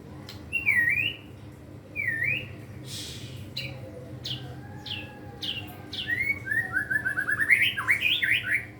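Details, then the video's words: Caged white-rumped shama, a young bird learning to sing with a varied repertoire, gives whistled upslurred and downslurred notes, sharp chips, then a rapid rising trill of rich warbling phrases. "murai batu pastol belajar gacor bongkar materi!! isian ngeri bos"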